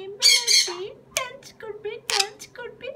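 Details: Sun conure giving loud, harsh, raspy squawks in two close bursts near the start and another burst later, with a woman's Dutch speech and softer voiced sounds in between.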